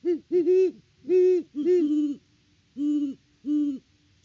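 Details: A Great horned owl pair hoot back and forth at their nest tree on a Peabody, Kansas farm, recorded in October 2023. Quick, slightly higher doubled hoots overlap with lower, drawn-out hoots. Two final deep hoots come spaced well apart.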